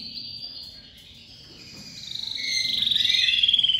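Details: Domestic canary, crested and pied, just out of moult and singing loudly: a sweeping high whistle gives way to a rapid, buzzy rolling trill that quickens and grows louder, pulses packed tightly together, steady low hum beneath.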